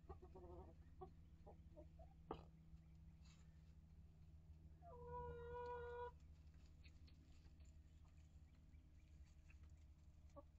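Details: Mixed flock of mature hens and integrated chicks inside a coop: soft quick clucks early, then a sustained, even, nasal call lasting about a second, amid bumps and a steady low electrical hum.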